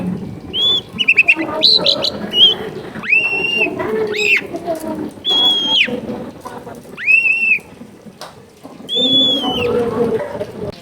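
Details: Long-tailed shrike song from a home in a crowded neighbourhood, meant to coax a bird that has stopped singing: clear whistled notes, some rising and some falling, given in separate bursts a few seconds apart, with low household background noise.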